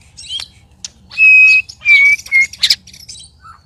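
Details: Strange, loud sounds from a white-rumped shama sparring with two other birds: long, level whistled notes broken by harsh, rasping bursts, all within a few seconds.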